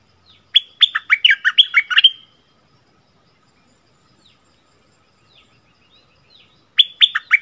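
A bulbul sings a quick, bubbly phrase of rich, slurred whistles lasting under two seconds, then starts again after a pause; otherwise quiet.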